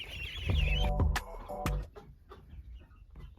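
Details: Domestic chickens raised on a family farm giving short harmonic clucks in a quick run of several notes, followed by quieter scattered clucking over heavy low rumbling and handling noise.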